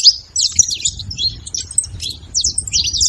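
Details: Saffron finches in a flock, softer overlapping high chirps and thin twitters, some notes more distant, irregular bursts over a low murmur of background noise.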